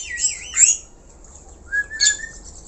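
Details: Black-collared starling: a wavering, warbled whistle with a harsh overtone, a pause, then a scratchy note leading into a long, level, clear whistle.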